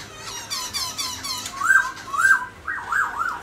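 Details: Captive black-throated laughingthrush singing while dancing; opens with rapid harsh buzzy chattering, then loud looping whistled notes repeated about twice a second, recorded indoors.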